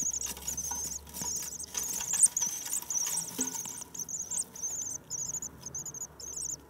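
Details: Spring arrival of common swifts, first seen on 9 May. A long string of piercing, buzzy screams, short trills following one another rapidly, with quieter gaps near the end and a low hum beneath.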